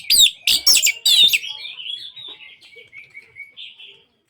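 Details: Orange-headed thrush song, played to coax silent birds into singing. It opens with three loud harsh burry bursts, then trails into a soft, thin warbling twitter that fades out.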